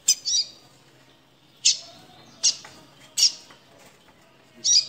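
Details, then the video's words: Caged double-collared seedeater (coleiro, also called papa-capim) giving the harsh 'chia' call, trembling with fear and trying to get out of its cage; short rasping high bursts, some doubled, separated by gaps of about a second, with faint background hum. "Chia de coleiro tremendo de medo!"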